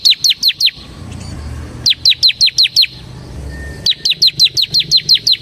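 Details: Bar-winged prinia (ciblek semi) singing as a lure for ciblek: three bursts of quick falling high chips, five to eight notes each, with quiet gaps of about a second.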